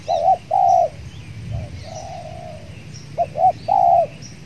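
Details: Spotted doves (tekukur) cooing at a trapping site with a decoy bird, where a very aggressive wild dove is present: a few paired coos and a long softer coo, with faint chirps of small birds behind.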